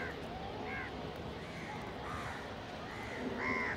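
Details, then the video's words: Crows feeding together with a pigeon, competing for food, give a run of moderate harsh caws, ending in a louder drawn-out one, over a steady background rumble. "Crow ki awaz naturally"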